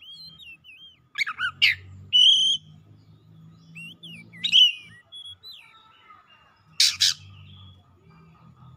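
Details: Excited Oriental magpie-robin (kacer) pouring out its imitation repertoire: scattered wavy whistles, sharp rasping bursts and a steady whistled note, separated by quieter pauses over a low rumbling background hum.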